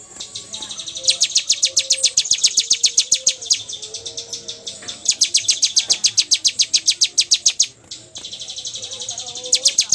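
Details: Bar-winged prinia singing in the continuous 'bocor' style: long runs of rapid, high, sharp ticking notes, nearly four per second, broken by short pauses, with faint lower warbles underneath.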